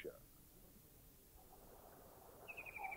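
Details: White-throated kingfisher giving a brief, high, rattling trill of quick notes falling slightly in pitch, after a spoken announcement; recorded in a Thai national park (Khao Yai, Doi Intanon, Doi Suthep-Pui or Chae Son).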